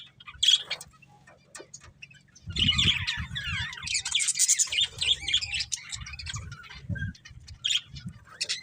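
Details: Budgerigars, a breeding pair, give a sharp chirp, then sustained twittering warble with rising and falling squeaky notes, over soft low thumps and shuffling sounds.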